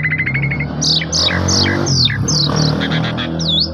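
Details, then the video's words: Asian pied starling singing as a lure to get other starlings singing, recorded on a phone camera: a row of short even notes, then a run of descending whistled slurs and a final looping whistle, over a steady low hum. "Burung Sederhana Ini Bisa Mengajak Burung Jalak Suren Lain Ikut Gacor Terus"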